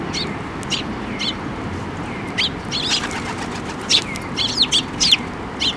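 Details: Sparrows flying in to be fed at a bridge by a Tenmangu shrine on 5 May 2024: bright, short chirps come in scattered bursts, clustering toward the end, over a steady outdoor hiss.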